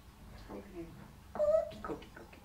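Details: A male pet Congo African grey parrot mimics human speech in short, word-like bursts, with one clear tonal, whistly syllable in the middle, in a quiet indoor room.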